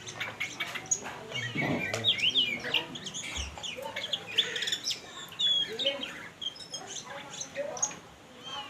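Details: Kacer, or oriental magpie-robin, by a river during rain. Bright whistled slurs and chirps are scattered through a busy, noisy background, with a deeper clucking sound near the start.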